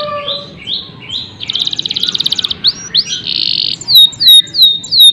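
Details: Canary song: a series of short rising whistled notes, then a fast buzzy trill and a rolling warble, ending with sharp downslurred whistles repeated about twice a second, over a low background hum.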